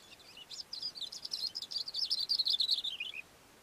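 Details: A Cape grassbird perched on a rock on a mountain slope delivers a fast, tumbling phrase of sharp high notes. The phrase swells louder and closes with a slurred, dropping note.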